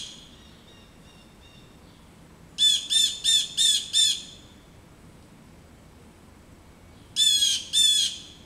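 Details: Backyard blue jays harassing an adult male osprey perched at its roost: a rapid run of five harsh jay calls, then silence, then two more; a faint earlier call at the start.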